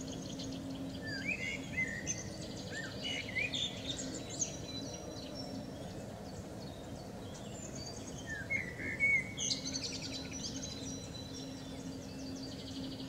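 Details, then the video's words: Common blackbird singing in the morning sun, described as having hiccups: short warbled phrases and chuckling notes separated by pauses, with higher twittering of other small birds and a steady low hum in the background. "Amsel mit Schluckauf singt in der Morgensonne"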